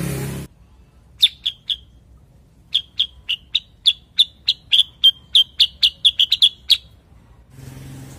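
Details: A cucak kurincang bulbul delivers a long run of crisp, high chip notes that speed up toward the end. Brief noise bursts come just before and after.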